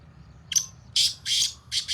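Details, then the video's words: Black francolin in fields, said to be calling for the first time in six months. A short clipped note opens a run of loud, hoarse, buzzing bursts in rapid sequence. "Francolin speaking in fields Sindhi Kala Tetar Awaz"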